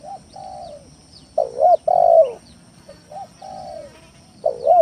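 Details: Spotted dove lure song, played as a decoy to provoke rival doves into calling and to rouse reluctant callers. Low, soft coos come in repeated phrases: a short note, a longer falling coo, then a louder emphatic coo, cycling about every two and a half seconds.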